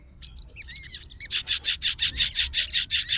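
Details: Sooty-headed bulbul fighter answering another bulbul: quick whistled slurs open, followed by a rhythmic series of bright, harsh chattered notes, nearly three per second, loud and steady.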